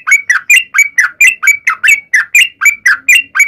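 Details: Sooty-headed bulbul in fighting-style song used to draw other bulbuls into answering; rapid series of bright, ringing whistled notes, roughly four per second, each quickly rising then dropping.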